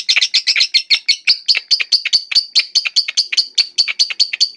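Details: Lovebird of the Batman colour variety in long ngekek song, opening with fast scratchy double notes that settle into steady high clipped chips repeated several times per second.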